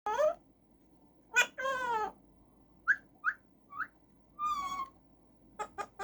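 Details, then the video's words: A male rose-ringed parakeet in a cage runs through varied sounds: harmonic squawks, short rising whistles, a drawn-out nasal note and three quick clicky chirps at the end. "Talking Raw Parrot making different sounds"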